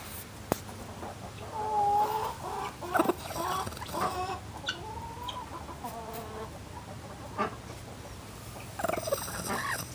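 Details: Broody hen, one of several broody hens, growling to warn off a person approaching her. Low, harsh, growly bursts with buzzy harmonic tones, rising and falling in several uneven phrases across ten seconds, with brief quiet gaps between outbursts.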